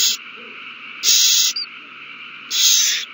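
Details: Owls at a nest box on 21 March 2020, one finding a mouse and passing it to its mate as a prey frenzy begins: harsh, hissing screeches, three short bursts about 1.5 seconds apart over a steady electrical hum.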